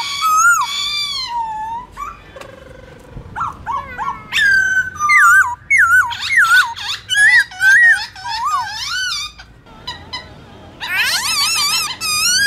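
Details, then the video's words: A black-throated laughingthrush sings in wild, forest style in the morning: loud, rich whistled phrases of swooping, rising and falling notes in quick varied bursts, ending in a rapid warbled trill. "Khướu bạc má hót giọng rừng Đảo giọng buổi sáng"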